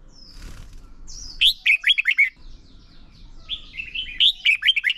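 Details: Contest-style song from a lure red-whiskered bulbul, meant to provoke singing in trained birds: a thin descending whistle, then quick choppy phrases of bright slurred notes repeated in lively runs over faint low rumble.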